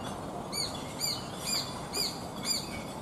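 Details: Adult Japanese sparrowhawk calling repeatedly while plucking and eating a small bird it caught, two newly fledged young nearby; short descending call notes repeated about every half second over a steady background hiss.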